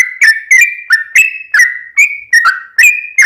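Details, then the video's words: Sooty-headed bulbul, a bird that sings constantly, recorded as a lure to prompt other bulbuls to sing: a lively sequence of short whistled notes, each starting with a snap and gliding slightly, about three every second. "trucukan gacor ROPEL PANJANG buat pancingan trucukan agar bunyi"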